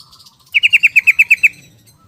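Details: Yellow-vented bulbul in ropel song style, rattling out a tight run of nine identical bright, clipped notes in under a second, evenly paced, against a quiet background.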